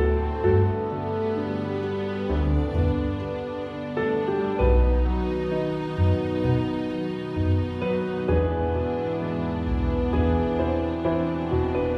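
Soft, slow instrumental music with sustained low tones and gentle chord changes; no animal sounds.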